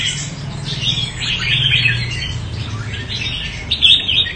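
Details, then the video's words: Red-whiskered bulbul from Quảng Nam, Vietnam, giving a thinner run of chirps and slurred whistled notes, partly blurred, ending with a brighter burst, over a noticeable low hum. "Chào mào tố chất Quảng Nam"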